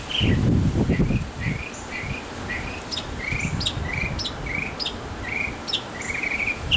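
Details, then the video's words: Male mockingbird singing in a backyard to win a female, delivering a run of short, clear chirped notes that rise and fall, with brief sharp high ticks between them and a low rumble of wind or handling early on. "Mocking Bird 200 Sounds to Get the Girl!"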